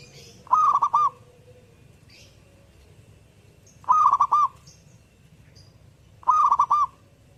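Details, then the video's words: Zebra dove repeating short, rolling, stuttered coo phrases about every three seconds, three phrases in all, with faint chirps from other birds in the background. "burung perkutut gacor"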